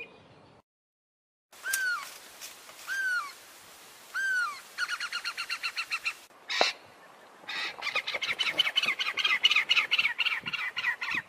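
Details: Diederik cuckoo (Chrysococcyx caprius), call.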